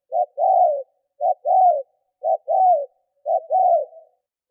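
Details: Spotted dove lure calling to provoke wild doves: four even phrases, each a clipped low note then a longer rounded coo that falls at the end, spaced about one second apart.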